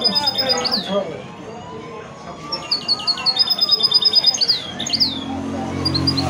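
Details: Goldfinch × canary mule, a hybrid from a male goldfinch and a female canary, singing high, bright twittering phrases with quick repeated trilled notes in the middle, then pausing; low voices talking underneath.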